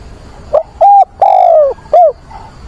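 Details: Decoy spotted dove cooing to attract a mate and stir wild doves on a rainy, windy 24 September: one loud phrase of a brief note, a steady coo, a long slowly falling coo and a short final coo.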